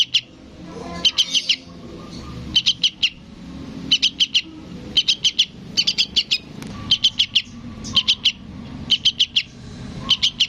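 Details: Young sooty-headed bulbul begging to its parent: near-continuous series of quick triplets and quadruplets of piercing chirps, nearly one burst per second, over low background rumble.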